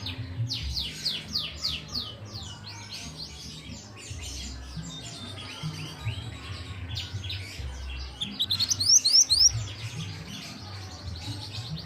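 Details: Young pied bushchat being trained to sing: scattered chirps and twittering throughout, then a bright burst of quick, high, upslurred notes near the end, with other birds calling around it.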